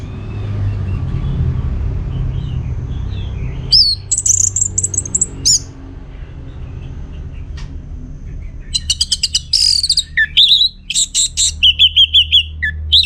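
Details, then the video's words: Orange-headed thrush singing vigorously, meant to prompt other birds to reply: scattered high whistles early, then a dense stretch of rapid repeated chips and warbled whistled phrases toward the end, with a low background hum throughout. "Putar Kicauan ANIS MERAH Gacor Ini dijamin Pasti Ikut Nyaut"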